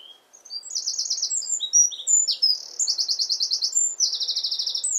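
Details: Wren in full song competing with the wind: a loud, very high, hurried song of sharp piping notes broken by several fast rattling trills, one phrase running straight into the next.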